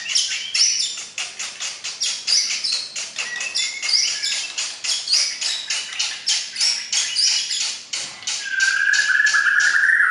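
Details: Murai batu, the white-rumped shama, singing for relaxation and to stimulate pet birds: rapid repeated sharp notes about three per second, then a long rising whistle, over a persistent high buzzing background.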